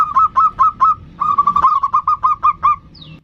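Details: Local zebra dove, a lure bird used to call and provoke a rival, gives a series of short bubbly coos at an even pitch, about eleven notes in quick succession with a brief pause midway, then a faint higher whistle at the end.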